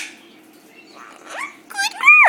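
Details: A pet female monk (Quaker) parakeet, taught to count and sing, gives two quick, nasal, speech-like phrases that arch up and fall away, the second louder and longer, in a quiet room.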